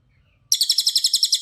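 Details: Cililin song used as a model for training other birds, a rapid high trill of about eleven sharp, evenly spaced notes in a second, starting abruptly after half a second of quiet.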